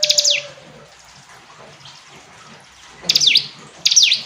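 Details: A single clicking, down-slurred phrase from a hill prinia, then a long quiet pause with low hiss, then two more similar phrases close together.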